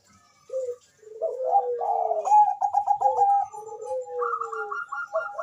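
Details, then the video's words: Bangkok zebra dove, sweet-voiced singer for stimulating mating and singing; short coo, long descending notes overlaid by a quick stuttering trill, ending in a rapid high repeated series. "perkutut bangkok gacor suara merdu cocok untuk mendongkrak birahi dan bunyi"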